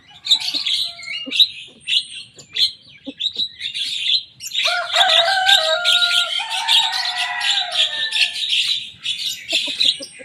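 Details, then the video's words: Lively young Javan myna copying rivals' songs: scattered clicks and harsh notes at first, then a dense stretch of loud, scratchy chatter layered with lower gliding whistles, fading into sparse clicks at the end. "Jalak kebo muda gacor bongkar suara lawan"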